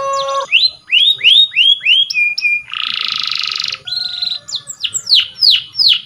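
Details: Canary singing a powerful song used for training: a series of downward-sweeping whistled notes repeated about twice a second, then a dense buzzy trill lasting about a second, followed by more rapid sweeping notes.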